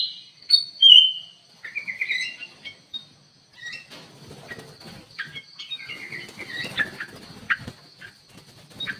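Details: Ruby-throated bulbul in an aviary giving a few clear whistled notes and slurred phrases, later mixed with fluttering wingbeats and rustling as the birds move about.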